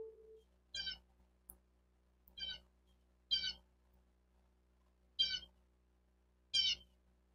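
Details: Bald eagles at a nest in Miami-Dade County, Florida, on 28 May 2023 around 11:34: five short, high, harmonic chittering bursts, spaced about every one to one and a half seconds, over a faint low hum.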